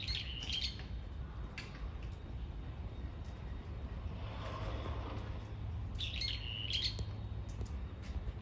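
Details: Brown-eared bulbul giving screaming calls: two harsh, squawking bursts, one near the start and another about six seconds later, over a steady low rumble of background noise.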